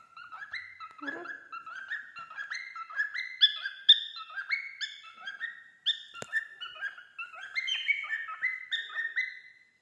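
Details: Tame male cockatiel singing: a long run of clear whistled notes stepping up and down, some slurred upward, repeated in quick phrases without pause, with one sharp click partway through.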